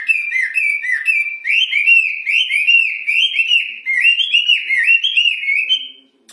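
A wambi sings a loud, continuous run of clear, rolling whistled notes that swoop up and down at a brisk pace, with no other sounds.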